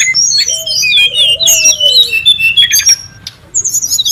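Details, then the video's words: Brown-chested jungle flycatcher calling noisily in the wild for luring and tutoring: fast overlapping high whistles and chirps with a lower, drawn-out whistle sliding down beneath, a brief pause, then more twittering. "SUARA PIKAT DAN MASTERAN BURUNG SRDC(sikatan rimba dada coklat) RIBUT DI ALAM LIAR"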